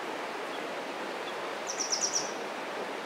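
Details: Grey wagtail singing in spring in breeding plumage, voice echoing across a mountain stream valley: a short burst of four high, sharp repeated notes near the end, over steady rushing water.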